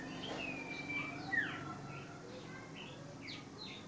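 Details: Common iora giving a sustained whistled note that ends in a steep falling slur, then several brief upswept chirps, against a low steady background hum.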